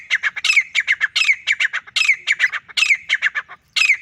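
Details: Male grey francolin calling by itself, giving a dense, continuous chain of loud, shrill, rhythmic squawking phrases for four seconds, with only a brief pause near the end.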